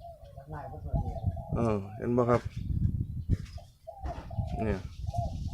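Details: Spotted dove, a caged bird about two months in the cage that the owner considers ready for training, gives soft, low, hoarse coos that open and close the clip, with a man talking loudly over the middle.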